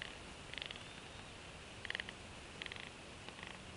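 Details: Bald eagle at a nest camera in northeast Florida, with an adult female sharing a fish among two eaglets hatched in late December 2015. Short bursts of high, pulsed chittering come every second or so over steady background hiss.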